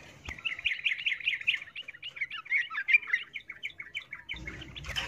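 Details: Miyik call of a female yellow-vented bulbul in breeding condition summoning a male: a quieter, continuous string of warbling, bubbly chirps rising and falling slightly, with a low rumble near the end.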